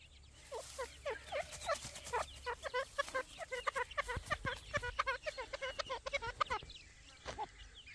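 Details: Grey francolin chicks during feeding, giving a rapid run of short, down-slurred chirping peeps, several per second, with faint clicking in the background.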